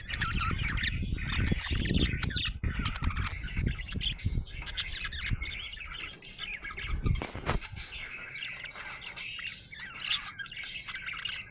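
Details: Happy budgie chirping, high chattering chirps and squawky notes partly covered by heavy low rumbling noise and thumps, especially in the first half.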